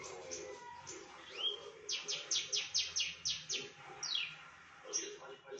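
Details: Javan bush lark imitating other birds, loud and clear: soft mixed chirps and a short rising whistle, then a fast run of about seven sharp descending sweeps and a longer falling note, with faint low murmur beneath.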